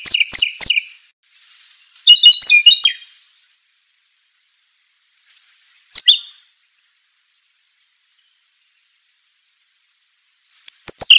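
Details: Scarlet minivet singing for songbird training: quick high chip series and tumbling whistled notes in short bursts separated by silent pauses, each phrase sliding downward, with a final sharp high burst.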